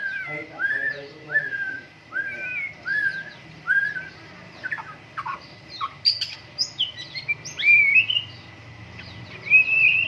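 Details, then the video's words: White-rumped shama singing vigorously at a morning dew airing session: a string of clear rising whistles repeated roughly every second, then a burst of varied high sharp notes and upslurred whistles, with a low hum beneath. "MURAI BATU GACOR, PROSES BURUNG MURAI PENGEMBUNAN PAGI"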